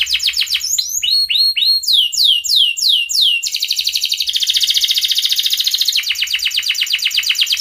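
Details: Canary singing in breeding condition, calling out a rival, meant to teach young canaries: varied phrases of loud downslurred whistles, then a very fast rolled buzzy trill and a quicker rattling series.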